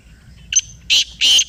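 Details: A black francolin answers a played call with a short harsh note followed by two loud, drawn-out rasping bursts about a third of a second apart.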